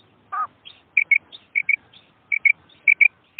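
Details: Female quail call for hunting: an opening low, rough note, then a string of quick, bright double chirps mixed with softer, higher squeaks, repeated about every half second.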